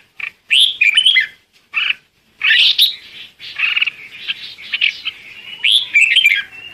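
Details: Calling to its flock, a red-whiskered bulbul pours out lively warbled phrases and quick chirps almost without a break, with a thin whistle drawn out near the end.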